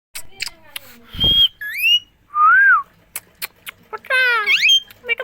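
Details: Green parrot in India said to be talking, with the phrase "miya Mithu" in Hindi; harsh, buzzy harmonic squawks mixed with short clear whistles, a rising-falling whistled note and sharp clicks.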